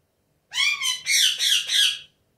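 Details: Pet Indian ringneck parakeet indoors, calling loudly: four harsh, screeching squawks in a row, the first with a sliding, wavering tone, the rest strident and rasping, all within under two seconds, then silence.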